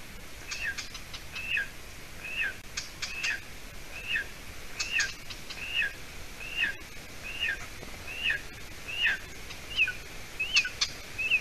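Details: Nestling golden eagle in Latvia, evening of 30 June 2020, the female having brought roe deer hide; long run of about fourteen thin whistled peeps with downslurred tails, nearly regular, with light clicking and ticking sounds between calls.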